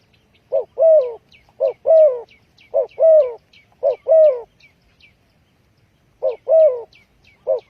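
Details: Spotted dove calling as a trapping lure: paired low coos, a short note then a longer slurred one, repeated about once a second in bursts, with faint high chirps of other small birds above.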